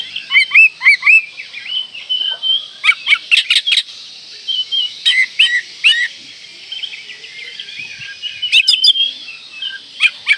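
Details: Oriental magpie-robin in breeding condition, singing to provoke rivals: fast series of short slurred whistles and crisp clicking notes, delivered in dense bursts with brief pauses.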